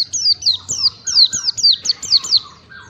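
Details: Oriental white-eye training song for caged birds, meant to bring on long continuous singing. Steady string of about ten high, sharp whistles, each dropping in pitch, delivered evenly with soft lower notes beneath.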